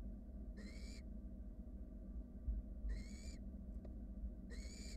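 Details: Three hoarse, hissing begging calls, each with a slightly rising tonal edge, come from wild barn owl nestlings in a nest box as their sibling slowly gulps down a rat; low background hum and a few knocks.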